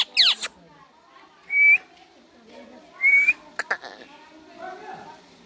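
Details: Indian ringneck parrot (rose-ringed parakeet) kept as a pet: a loud harsh screech opens, then two short clean rising whistles about one and a half seconds apart, a few sharp clicks, and faint human voices nearby.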